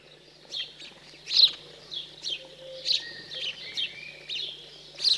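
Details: House sparrows feeding after fledging in cold countryside of central France, 15 June 2020: harsh, sharp chirps repeated irregularly every half second or so, with faint lower whistles from other birds underneath.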